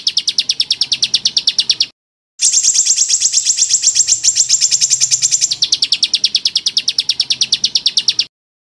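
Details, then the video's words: Small bird song in rapid-fire 'tembakan' style, for training champion songbirds: a quick run of sharp high chirps, then a short pause. A denser, higher trill follows before a return to the lower chirp series, ending in silence. "SUARA BURUNG KECIL FULL TEMBAKAN"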